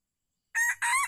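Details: Red junglefowl crowing during junglefowl trapping with a decoy bird in Calang, Aceh Jaya, Indonesia, on 12 February 2020; a loud, clipped crow of two harsh, ringing syllables after a moment of silence.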